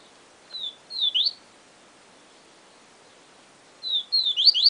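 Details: Yellow-bellied seedeater giving 'Siu Siu Professor' song fragments: a short drawn whistle and a couple of upslurred notes, a pause of about two and a half seconds, then another whistle-and-sweep sequence beginning.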